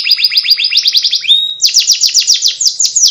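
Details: Warbling ngriwik canary song: a quick trill of repeated descending chips, a short level whistle, then another run of louder, higher downward sweeps.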